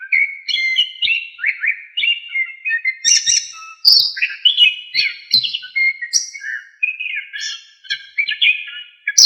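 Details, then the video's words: Varied song of anis kembang, the orange-headed thrush, used to teach songbirds: a steady stream of mellow whistles and quick slurs, interrupted by brief high buzzy trills. "KICAUAN ANIS KEMBANG GACOR FULL ISIAN"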